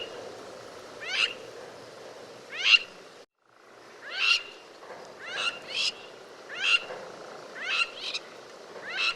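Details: Crowned lapwing in the Kruger gives loud, harsh, strident single notes about every one to two seconds over a low night hum; such birds fly and call overhead at night, possibly near a nest.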